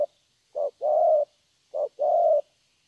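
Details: Vietnamese spotted dove, a young wild-caught bird with good 'thổ' voice: two clean pairs of low coos, short then long, in a quiet setting.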